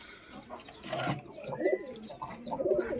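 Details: Kept pigeons in an owner's loft give short, low, throaty coos in two soft bursts over a few seconds, with faint high chirps of small birds and a low steady hum behind.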